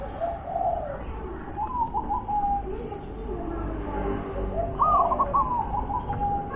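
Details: Wild local zebra dove uttering soft rolling coos, then a clearer trilled phrase near the end, amid steady low background rumble.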